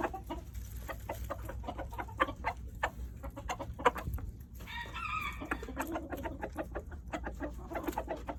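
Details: Rooster making funny noises when handed treats: fast, continuous clucks with a short drawn-out, more tonal call partway through, over a low hum.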